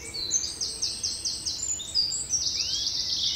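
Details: Birdsong for relaxing background listening: high, rapid trills and a run of repeated sweeping notes, with several birds calling over each other in a steady hiss.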